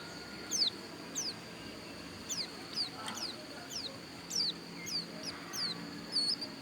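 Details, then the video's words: Javan white-eye of the pleci dakun type from Pupuan, Bali, repeating thin, high, downward-sliding whistles roughly every half second, amid quiet background noise and faint low murmurs. "Suara Pleci Dakun Bali Pupuan"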